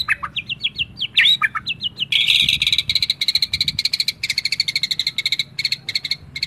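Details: White-rumped shama in fighting-style song: a run of short rising whistled notes gives way to a fast, dry, buzzy rattle of rapidly repeated notes that continues steadily to the end.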